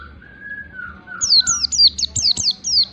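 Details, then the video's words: Oriental white-eye lure recording in the ngalas style: a lower, level whistle opens, then a rapid series of very high, falling chirps follows, repeated several times per second. "pancingan pleci riwik supaya cepat ngalas ⚡⚡ pleci ngalas standar rapat panjang"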